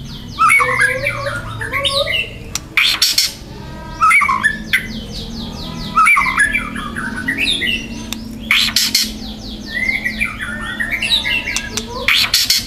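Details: Young wild white-rumped shama singing dense, loud, harsh material: repeated bursts of rapid rattles and scratchy rasps alternating with tumbling whistled phrases, nearly continuous over about twelve seconds, with a low hum behind.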